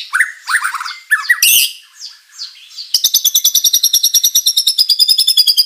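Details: Vigorous white-rumped shama song with fill-in material, used to draw answers from other shamas; opening scratchy slurred notes and a harsh burst, then a long, fast, steady high rattling trill.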